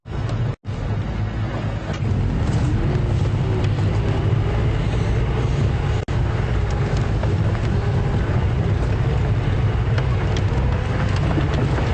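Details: A vehicle engine rumbles steadily throughout, with no animal calls heard.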